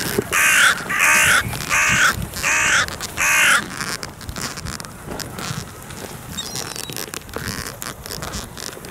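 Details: A carrion crow at a clifftop feeding site, where 60-80 crows gather to greet the feeder, gives five harsh, grating caws in quick succession, about two per second, then falls silent over a quiet outdoor background.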